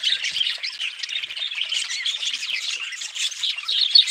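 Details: Dense budgerigar chorus of scratchy squawks and high chirps, steady and unbroken, many birds overlapping with slightly louder notes near the end.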